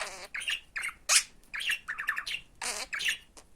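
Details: Budgerigar mimicking Turkish speech phrases like "benim aşkım" and "iyi günler", recorded to teach words to other budgies; hoarse, buzzy word-like bursts with sharp squawky accents, roughly every half second.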